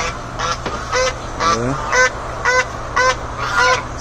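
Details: A big drake (male domestic duck) on a farm beside a lumber yard and an egg-production chicken farm gives loud, nasal honking calls about twice a second in an uneven series, over a steady low machine-like hum from the chickens.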